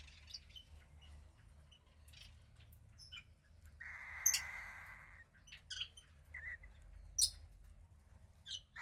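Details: A young cockatiel, a female chick about 15 days old from a pied cockatiel pair, gives a single loud rasping hiss lasting about a second. Scattered faint chirps and squeaks sound before and after.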